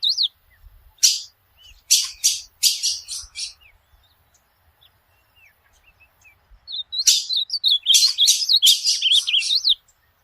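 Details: Ultramarine grosbeak (azulão) singing, used to train a pet bird: two bursts of rapid high chirps and warbled whistles separated by a few seconds of quiet, the second phrase longer and busier.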